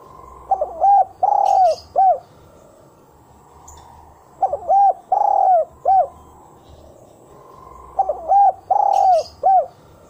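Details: A spotted dove gives a single-coo-type ("kuk 1") lure call, a mellow hooting coo phrase of about four notes repeated roughly every four seconds, with faint high chirps in the background.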